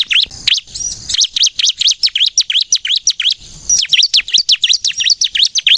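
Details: Bar-winged prinia singing vigorously, used as a lure to get other prinias singing: a fast run of sharp, high chirping notes, nearly three per second, broken by one brief pause.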